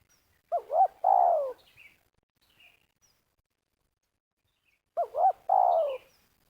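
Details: Bird trappers in Liwa, West Lampung, Indonesia, lure a spotted dove. Two phrases about four seconds apart each hold two looping, wavering notes and then a drawn-out, downward-sliding coo. Faint high chirps sound between them.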